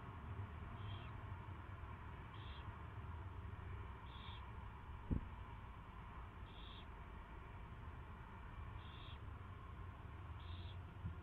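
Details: February 24, 2016, 2:15 PM, first feeding of an owl; short breathy screeches repeat every two seconds or so, with one sharp click midway and a continuous low rumble underneath.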